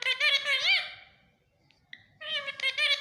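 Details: A talking Indian ringneck (rose-ringed parakeet) mimics Urdu/Hindi words such as "Mian Mithu" in a high, nasal voice: a short phrase, a pause with two tiny chirps, then another phrase, with music playing.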